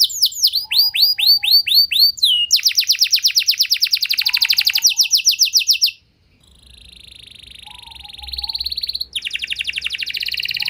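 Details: Canary in continuous lure song for other canaries: sweeping slurred notes, then dense rapid trills, a brief pause, and a steady buzzy trill rising into a louder rolled tour.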